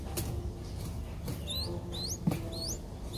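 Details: Five-day-old Streak-eared Bulbul nestling in Ubon Ratchathani, Thailand, recorded 7 April 2023: a few thin, high upslurred squeaks spaced about half a second apart over low background rumble and faint thumps.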